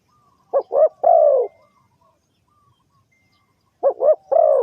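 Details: Spotted dove coo used to draw birds into a trap, two phrases of two brief coos and a longer falling coo, separated by nearly three seconds of silence.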